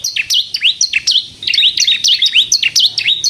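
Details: Crystal bar-winged prinia in energetic song for luring other prinias: quick, high, sharp notes with rising curls, tightly repeated, a small pause midway.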